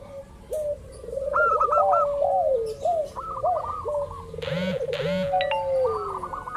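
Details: Lure recording of a local zebra dove to set other doves singing: looping arched coos with high stuttered phrases, a sweeping trill and brief harsher calls near the end.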